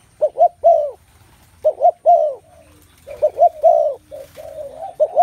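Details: Spotted dove cooing in a crowded soundscape, gentle hooting double notes and longer falling coos repeating in groups about every second and a half, with quiet background hum.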